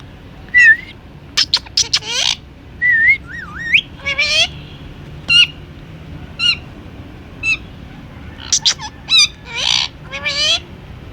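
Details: Indian ringneck parrot, a talking pet bird, strings together sharp clicks, short squawks and wavering rising whistles, with bursts of rapid harsh notes near the end and brief silences between phrases.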